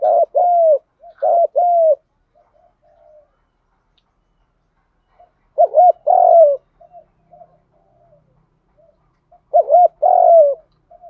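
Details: Spotted dove, male and female coos used to stimulate and train decoy birds: low mellow two-note coos repeated every four to five seconds, with soft quieter murmurs between phrases.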